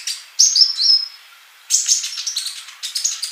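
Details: Male sunbird in full song, recorded for teaching silent young birds: a short run of bright high whistles, a brief pause, then a fast, scratchy string of tinkling chirps.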